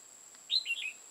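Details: Red-whiskered bulbul used as a decoy for trapping, Hòa Bình, Vietnam: a short bright whistled phrase, an upslurred note followed by two warbling falling notes, over a steady high electronic whine.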